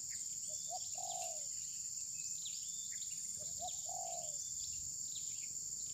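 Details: Spotted dove used as a trapping decoy that refused to attack rivals, perhaps molting, phone recording: two cooing phrases a few seconds apart, each short soft notes before a longer falling coo, with steady insect buzz and faint chirps above.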